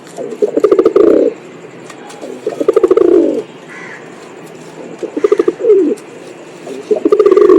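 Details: Pigeon making a sequence of deep rolling coos, each opening with rapid pulsed notes and ending in a swelling, slightly falling purr, with short quiet gaps and a faint higher chirp.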